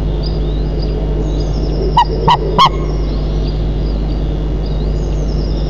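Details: White-tailed eagles at their nest, 35 m up, in Nizhnyaya Kama National Park, recorded 10 May 2024 at 03:52; three loud, short, harmonic yelps about 0.3 s apart, over a steady low hum with faint thin calls of small birds.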